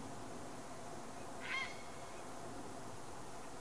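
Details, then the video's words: A wild grey heron (Ardea cinerea), a winter visitor in Palestine, gives one short, harsh croak over a steady background hiss. "صوت مالك الحزين الزركي البلشون الرمادي Grey heron sound Héron cendré Garza real"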